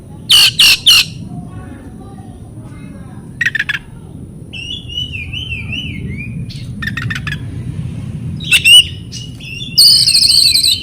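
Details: Oriental magpie-robin song for prompting silent caged birds: bursts of grating, rattling notes alternate with clear, wavering whistled warbles, ending in a loud sustained harsh buzz over a wavy whistle; steady faint background hum.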